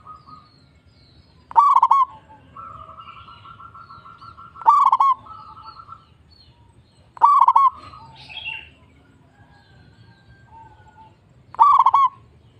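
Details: Local zebra dove song used as a lure to stir other doves into singing: loud rattling bursts of staccato notes about every three seconds, with softer trilled phrases between.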